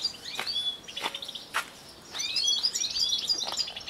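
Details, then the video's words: European goldfinch song: rapid twittering phrases and tinkling notes, with short rising and falling slurs, high-pitched and crowded, broken by a brief pause near the middle and a few sharp clicks. "paradis du chardonneret"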